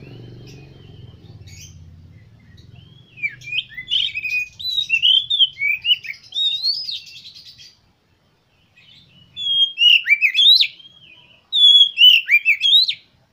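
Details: Oriental magpie-robin lure song intended to make kept birds sing eagerly and spread their tails: a low rumble at first, then three long bursts of varied whistles, sharp chirps and slurred notes.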